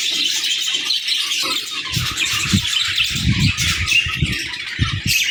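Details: Budgies in pairs chattering: steady high warbled twittering runs throughout, over low bumping and rustling sounds in the second half.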